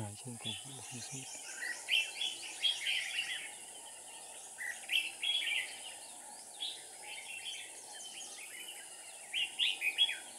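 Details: On 7 April 2019 a red-whiskered bulbul decoy sings during trapping: lively runs of chirps and warbled phrases in bursts throughout, several birds overlapping, a short spoken voice at the start, constant high hiss behind.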